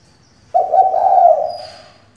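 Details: Female spotted dove acting as a decoy for singing males gives one long, low, slightly undulating coo that fades out gradually, with a faint thin high tone near its end.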